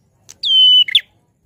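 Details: One loud prinia phrase: a clean, sustained whistle falling briefly then held level for nearly half a second, followed by a quick rough double chirp.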